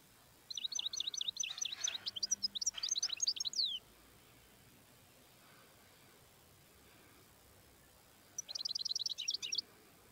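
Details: Wild European goldfinch singing bright, rapid twittering bursts of high notes, one long phrase of about three seconds followed after a quiet pause by a shorter burst.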